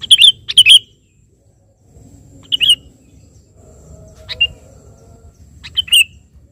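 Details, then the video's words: Chatty sooty-headed bulbul calling out to a rival: two quick warbled phrases close together, then three more spaced out, one thinner and fainter, with low rumbling noise between. "suara burung KUTILANG GACOR memanggil lawan"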